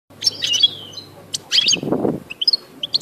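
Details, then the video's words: Caged European goldfinch, eight months old, sings a bright twittering phrase of rapid high chirps and short trills. The notes come in dense bursts with brief pauses, ending in scattered single tweets. Faint low hum in the background. "الجزئ الثالث للحسون 8 اشهر في السلاكة"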